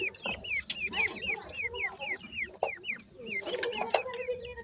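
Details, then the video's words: A steady stream of looping, hooked whistles from grey francolin chicks while they feed, roughly three or four peeps a second, with lower chattering notes and a brief clatter beneath. "gora francolin chicks feeding,teetar ki boli"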